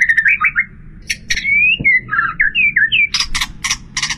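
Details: White-rumped shama singing a full isian song of mimicked sounds: a chain of wavering slurred whistles alternating with sharp clicks and short noisy bursts, over a steady low rumbling background.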